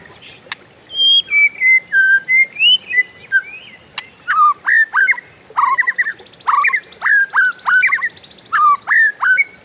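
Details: Oriental magpie-robin (kacer) singing a lively long roll: gliding whistles slide downward, then a fast string of short, sharp, repeated whistled notes about three per second, with a couple of clicks and a constant faint high hiss.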